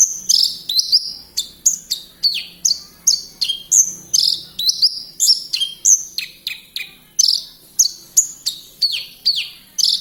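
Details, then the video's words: Energetic song of a branjangan lark from Kediri, a dense stream of sharp, high descending whistles and chirps repeated at a fast, even pace. "Branjagan gacor"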